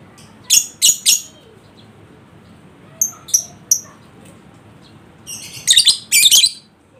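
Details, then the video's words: Lure recording of a lovebird, meant to make a silent bird answer with ngekek: a few harsh high bursts, then spaced chirps, ending in a run of dense, scratchy chattering. "Atasi Lovebird Males Bunyi Dengan Pancingan Ini Pasti Respon Di Jamin Ngekek"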